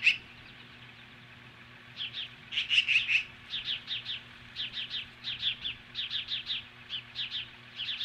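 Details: Osprey confronting magpies at its nest in Hellgate Canyon, Montana, 10:26 AM on July 15, 2015: after a short quiet spell, evenly grouped pairs and triplets of shrill, clipped chirps repeat about every half second.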